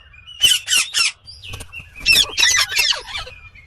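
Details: Three loud grating squawks from an Indian green ringneck parakeet, a short pause with a thin whistle, then a longer burst of rough screeching calls.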